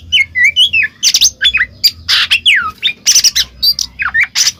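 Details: Oriental magpie-robin singing ngeplong to provoke a silent kacer; it opens with a few piping whistles, then moves into loud rasping squawks and sweeping downward whistles, repeated in quick succession.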